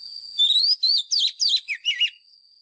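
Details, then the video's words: White-rumped shama lure song for training caged birds' voices, in fighting-song style: a short burst of clear rising whistles then rapid looping high notes, over a steady thin high whine. "Chòe than mồi # Chòe than mồi Hót đấu CHIM RỪNG || Luyện giọng chòe than hót"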